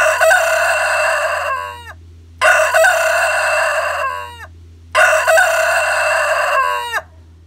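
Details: A rooster crows three times in quick succession, recorded close up. Each loud, hoarse crow lasts about a second and a half and ends in a falling tail, over a steady low hum.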